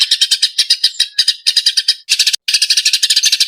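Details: Excited Eurasian tree sparrow used as a master recording for songbirds, giving quick rasping chirps that speed into a tighter, denser volley after a brief pause near the end.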